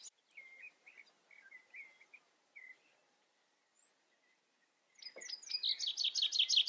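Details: Common chaffinch song opening: after several soft, level whistled notes from another bird and a quiet pause, a loud, rapid run of repeated high chirps begins and is cut off.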